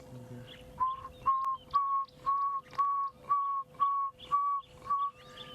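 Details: A distant pearl-spotted owlet calls on a morning sunrise drive on 3 December 2016: a run of nine clear, mid-pitched whistles, about two each second, each note slightly rising, over a steady engine hum.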